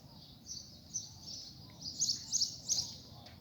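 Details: Coleiro singing after rain, coaxed into song: faint, high, scratchy notes in short repeated phrases, partly masked by steady low background noise.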